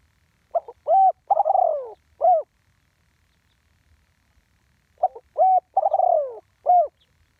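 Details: Live spotted dove giving the 'one kuk' ground-decoy ('tor din') call. Two full phrases about four and a half seconds apart, each a short stutter, a clear coo, a drawn-out descending trill and a final coo. Almost silent between them.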